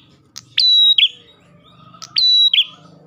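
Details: Ash tailorbird song played to lure other tailorbirds: two loud phrases, each a sharp click, a steady high whistled note and a falling lower note, with a soft low hum underneath.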